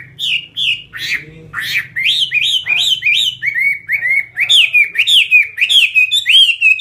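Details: A Chinese hwamei bred for fighting delivers varied whistled song: a few rough opening notes, then runs of repeated clear, bouncing phrases that speed up toward the end, with a quiet hum behind.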